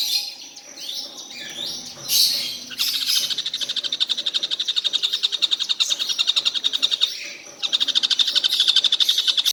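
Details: Collared kingfisher that calls all day without stopping: scratchy sounds at first, then a long quick run of harsh notes, a short break, and the rapid rattling series again.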